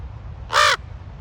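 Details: One loud, hoarse, rasping caw from a raven at Ocean Beach, San Francisco, lasting about a quarter second over a faint low surf hum.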